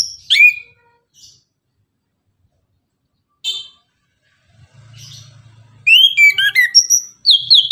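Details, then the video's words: Orange-headed thrush in the morning, delivering scattered whistled and squeaky notes after a pause, then a fast tumbling run of varied sliding whistles and chirps, with a brief low rumble in between. "Anis kembang tembakan gacor pagi hari, bunyi langsung nyaut gacor"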